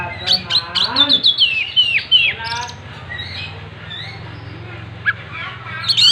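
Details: Oriental magpie-robin in full gacor song, tail spread: dense, varied high twitters and downward-sweeping whistles, then sparser scattered notes over a faint low hum.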